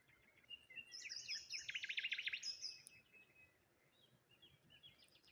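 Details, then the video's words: Morning birdsong at the water's edge among rose hips and a lone tree, with a rapid buzzy trill of closely repeated high notes in the middle, framed by scattered softer twitters. "Morning Birds Sounds"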